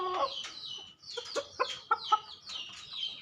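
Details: Male Ayam Ketawa chicken crowing in short, harmonic, laughing-like syllables that come in quick bursts with brief pauses, while thin high chirps of small birds run underneath.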